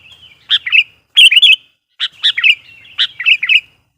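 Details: Chatty lure kutilang, a sooty-headed bulbul, calling to wild birds: short liquid phrases of two to four warbled notes, each starting with a sharp accented note, repeated roughly every second.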